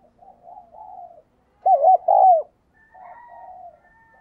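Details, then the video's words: Decoy spotted dove calling to lure wild doves: one loud phrase of two short rounded coos, a short break, then a longer slurred coo falling at its end, with softer, fainter cooing before and after. "Tiếng Chim Cu Mồi thúc Và Gáy Gọi Bổi Nghe Nhanh Gáy"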